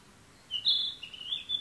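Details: Bird song recorded on June 28: a thin, high whistled note that climbs slightly and holds for about half a second, then a lower wavering whistle and a short final note, over faint background hiss.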